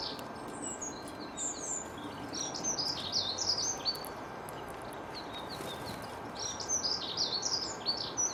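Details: Small birds chirping in bursts of sharp, high twittering notes, pausing midway and then resuming, over constant environmental hiss.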